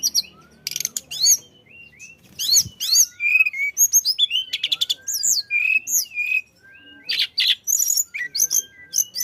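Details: Energetic flycatcher song for prompting other birds to sing: a long, varied stream of high chirps, looping whistles and buzzy notes in quick bursts, with short gaps and a faint steady tone in the background.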